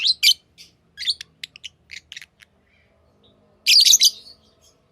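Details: Lovebirds kept as tamed pets chirp in quick, shrill, high notes, a run of short scattered peeps followed by a quiet gap and a loud grating chattering burst lasting about half a second, over a faint low hum.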